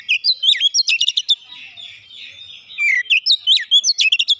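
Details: Oriental magpie-robin singing as a lure: fast sequences of loud, sharp whistles and clicking chips, a brief softer interlude, then another energetic burst of sweeping notes.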